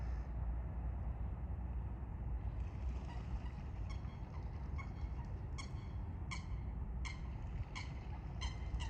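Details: Eurasian coots fighting: about four seconds of low rumble, then a series of clipped, explosive calls roughly every half second, growing louder toward the end.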